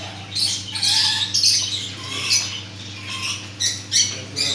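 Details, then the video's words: Parrots giving harsh, scratchy squawks in short bursts, several overlapping, with quieter chatter between them and a steady low hum underneath. "parrot مَٹو ولایتی مِٹو توتا"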